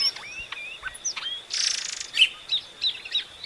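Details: {'caption': 'Epaulet oriole giving short whistled and curved notes, a harsh rattling burst in the middle, then evenly spaced sweet chirps toward the end.'}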